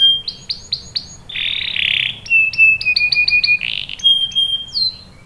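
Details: High canary phrases meant to start young canaries singing: four arching chirps, a coarse buzz, rapid stuttering notes over a whistle, another buzz and a final sliding note.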